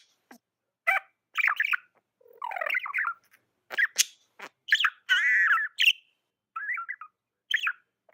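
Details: Domestic budgerigar giving chattering chirps and short squawky notes in quick irregular bursts, some harsh and buzzy, others clearer and bending in pitch, with ticking clicks between.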